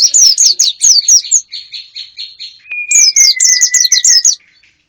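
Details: Calls used to draw in wild birds: rapid high falling chirps, then a softer level trill, a long thin descending whistle, and another burst of quick high chirping.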